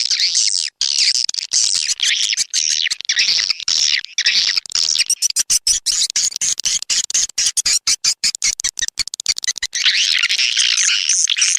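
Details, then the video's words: Swiftlet lure sound called SP Anak Gembala, of Indonesian origin, an outdoor-type playback used at swiftlet houses in Sóc Trăng and Đắk Nông, Vietnam: dense high twittering chatter with bursts of rapid dry clicks in between. "Âm thanh nhà yến Sóc Trăng, Đắk Nông - SP Anak Gembala"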